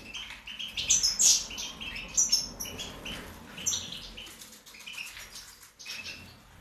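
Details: European goldfinch, subspecies major, recorded in 2019, singing a bright, high twittering song of quick chirps and thin sharp notes in bursts, loudest in the first half, then softer, with low background hum.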